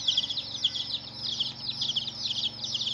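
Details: Several chicken chicks peeping, thin piercing notes that dip in pitch, tumbling over one another in a rapid, uneven chorus with faint hum below.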